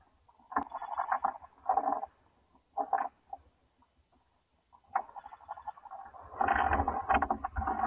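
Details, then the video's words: Young owls in a nest where all eight eggs of the first clutch hatched, calling as the mother comes back; raspy hissing bursts in separate clumps, then a longer, louder wheezing stretch at the end. "Hootie Returns to her Baby Pile"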